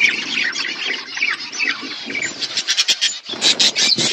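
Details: Budgerigars in a flock feeding on winter food, a steady wash of scratchy warbling chatter, then sharper clustered chirps in the second half.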